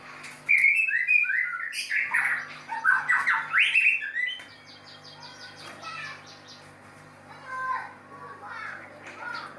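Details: White-rumped shama while mating, a loud dense stretch of harsh squawky, buzzy warbling for about four seconds, then rapid high clicks and softer whistled notes trailing away over a low hum.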